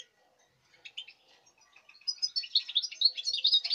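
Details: A European goldfinch from this season's breeding, 5 August 2019, starts with scattered soft chips, then builds into a rapid, dense, high-pitched twittering song that grows louder toward the end.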